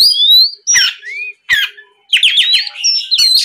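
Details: Lure song of an Oriental magpie-robin, loud 'gacor ngeplong' style used to make novice kacer sing back: long high whistle, then harsh chattering bursts and upslurred notes separated by brief silences.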